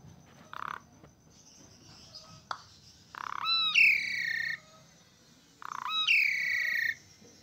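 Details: Asian pied starling in full vigorous song, meant to prompt sick, silent or stressed starlings to answer: two phrases, each a harsh buzzy rasp followed by a loud ringing whistle sliding slowly downward, with softer chatter between.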